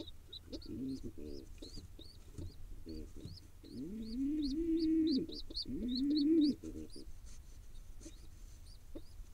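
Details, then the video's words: A wild pigeon nestling in Israel being fed by its father gives loud, drawn-out whining squeals, each about a second long, after scattered low squeaky notes. Background birds chirp steadily with short, high, upward-flicking notes. "Hungry Little One: Pigeon nestling gets a good feeding from his Dad."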